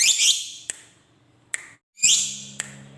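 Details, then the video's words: Lovebird, fighter type, giving harsh squawks and a clipped call, with sharp clicks between them. "Suara Burung Lovebird Ngekek Panjang"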